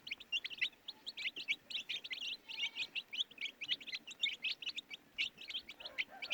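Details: Baby chicks giving rapid shrill peeps, a continuous flock chorus of short high chirps packed several to the second, fairly loud and clear over a quiet background.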